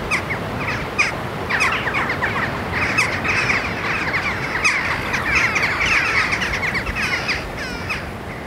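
Jackdaws give short, sharp, slightly nasal 'tchak' calls, many birds overlapping in a busy chattering flock, roughly one or two calls per second.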